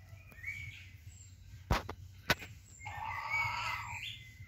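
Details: A Sabelpoot rooster gives a short, hoarse, harmonic crow near the end, after two sharp knocks and faint background chirps over low rumbling noise.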